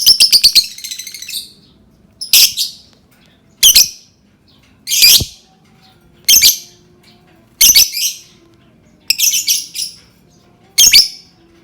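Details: Lovebird song meant to set other lovebirds singing, opening with a rapid stutter of sharp notes, then loud raspy squawks repeated roughly every one to one and a half seconds in a quiet room.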